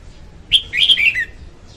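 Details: One phrase from a female red-whiskered bulbul used as a trapping lure: a sharp opening note then a quick run of clear whistled notes stepping downward, lasting under a second.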